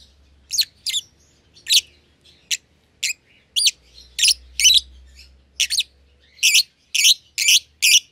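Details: Two young lovebirds, euwing green opaline and albino, paired off in their own cage after being seen close together and feeding each other; steady series of sharp, raspy chirps roughly every half second, some doubled, over faint low hum.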